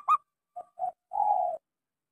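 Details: Zebra dove, local type with a small voice, used to prompt quiet doves to sing: one sharp clipped note, two short soft coos, then a longer even coo.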